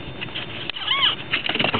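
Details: A cockatiel in a nest box with chicks gives a brief, arching whistled call that rises and falls, with soft chatter around it; the owner hears the babies crying.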